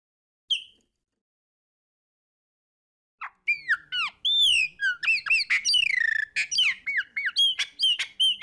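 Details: Chopi blackbird (Gnorimopsar chopi) song: it opens with a lone whistle, then bursts into a rich, fast run of liquid whistles, slurred notes and harsh squeaky chatter.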